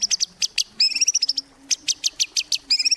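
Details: Lively white-rumped shama song used as a singing lure: short sharp notes alternating with rapid high trills, bursts coming several per second with brief gaps, bright and piercing throughout.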